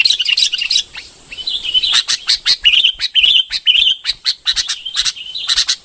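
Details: Red-whiskered bulbul of the bông variety pouring out brisk, cheerful warbled phrases, short notes following each other about twice a second with brief pauses between bursts.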